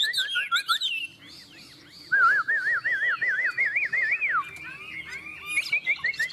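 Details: Two Chinese hwameis in a song contest, Vietnam: quick whistled phrases, then a long run of deep, evenly wavering whistles, followed by higher slurred notes and chips.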